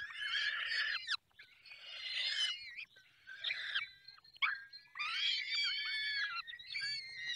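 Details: Feeding time at a falcon nest in the Barycz Valley: bursts of loud, grating, harmonic screams, some slurred downward, separated by short quiet gaps.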